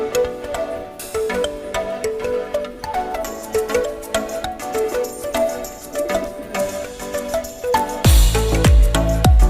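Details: Music with instruments plays throughout, with no animal sound heard.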